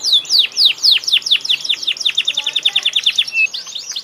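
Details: Singing canary delivering a long run of rapidly repeated, descending whistled notes that speed up into a tight rolling series, ending with a few high chirps.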